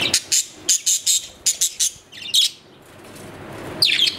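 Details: Pet budgerigar, Australian parrot, giving short bright chirps in quick bursts, a run of sharp repeated notes followed by a pause and a final rising warble.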